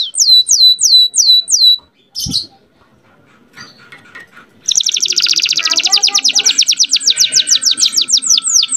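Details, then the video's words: Canary tutor song for bringing females into breeding condition: a few repeated downslurred whistles, a pause with faint noises, then a long, rapid, high rattling trill. "MASTERAN KENARI MUDA GACOR ISIAN DAN BIKIN EMOSI - pancing kenari betina agar cepat birahi"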